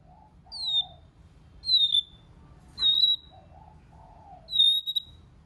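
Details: White-rumped shama singing in several voices to stimulate other shamas: four clear high whistles, each sliding down and held, about one per second and a quarter, alternating with soft low warbled notes.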